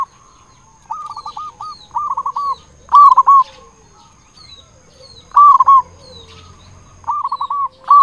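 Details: Loud local zebra dove singing, recorded for luring and stimulating other zebra doves: clipped, rapidly repeated cooing notes in short trilled bursts, alternating with stronger rolling coos, about every two seconds against a quiet background with a faint steady high tone.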